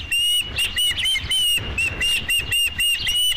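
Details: At the Dunrovin Ranch nest on 5 July 2016, with the first fish of the day, an osprey gives a steady run of piercing whistled chirps, repeated several times a second with almost no break.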